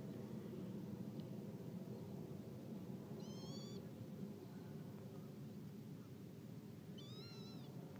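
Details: Pectoral sandpiper (Calidris melanotos) giving two short, reedy, rolled calls about four seconds apart, over a steady low rumble of wind or distant traffic.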